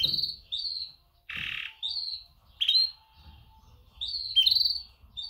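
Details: Female canary mating call aimed at males: high, downslurred chirps in quick pairs and clusters, broken once by a harsh buzzy squawk, with faint low rustling in the background.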